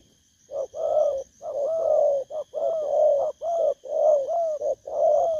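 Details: Spotted dove recording from Vietnam, 19 August 2024: rapid run of low, throaty coos, almost one a second, some overlapping with slight upward inflections. A steady faint high tone continues underneath.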